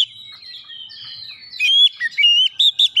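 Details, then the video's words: Oriental magpie-robin singing to provoke rival birds: a thin sustained whistle glides down, then a rapid string of clear, slurred whistled notes stepping up and down. "KICAUAN KACER PEMICU EMOSI"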